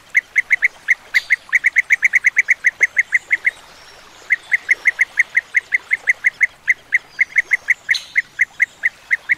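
European bee-eaters give rapid, rolling, liquid 'prruup' notes, several each second and overlapping as if from a few birds, with one brief pause.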